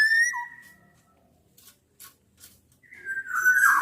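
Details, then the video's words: Black-naped oriole whistles, mixed from Javan and Sumbawa males and females, challenging a rival as a lure for reluctant singers: a clear fluted note slides down, a pause, then a rougher whistled phrase returns near the end. "kepodang gacor MENANTANG LAWAN ini sangat ampuh membuat agar burung podang gacor nyaut emosi"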